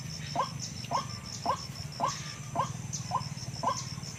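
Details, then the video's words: Lure recording of a wild white-breasted waterhen, used to call birds into nets: single hoarse, abrupt croaks repeated about every half second, evenly spaced, over a faint steady electronic whine. "Suara Ruak ruak yg ampuh memanggil dgn cepat ruak ruak langsung datang"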